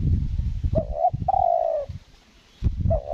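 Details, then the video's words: Spotted dove used as a decoy for trapping wild doves in Lombok, Indonesia: a short rising coo, then a longer level cooing note, another rising coo at the end, with low rumbling handling noise and a silent gap. "PIKAT TEKUKUR SELANG NGUKU GAGAP"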